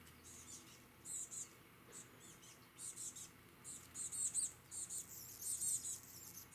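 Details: On Vancouver Island, Canada, a chestnut-backed chickadee gives thin, very high, lisping call notes in quick clusters while with other small birds, whose faint chips are heard nearby.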